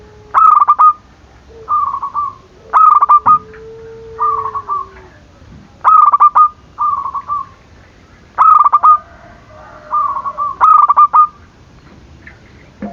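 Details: Zebra dove cooing used to rouse lazy or silent doves to call; loud stuttering phrases alternate with softer, shorter rolled coos across thirteen seconds, with a faint drawn-out lower whistle in the background.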